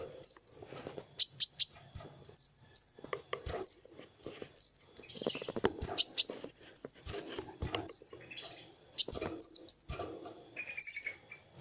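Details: Energetic song of a kolibri wulung sunbird, used as a master for tutoring other birds: high, thin, looping whistled notes repeated roughly every second, with quiet clicks between phrases.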